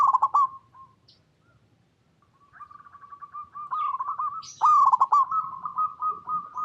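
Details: Local zebra dove cooing: an opening stuttered burst, a silent gap, then a long rising series of rapid trilled notes leading into a loud choppy phrase and rolling coos.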